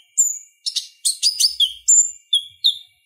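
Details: Lively konin song, from a Purple-throated sunbird used as tutor audio for kolibri ninja; tinkling high notes, quick slurs and scratchy bursts follow each other in rapid succession, background otherwise quiet.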